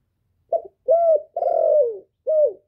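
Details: Male spotted dove used as a decoy, calling to lure wild doves in, recorded clean without background noise: a short opening coo, then two longer level coos, the middle one longest and falling at its end, and a final short falling coo.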